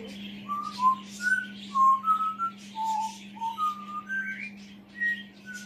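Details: Pet African grey parrot sitting on a chair indoors, talking to himself: a run of clear whistled notes, some rising, some level, spaced irregularly over a steady electrical hum.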